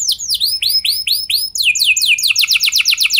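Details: Canary lure song to prompt other canaries into long rolling singing: slow arched whistled notes give way to quicker falling sweeps, then a rapid rolling trill.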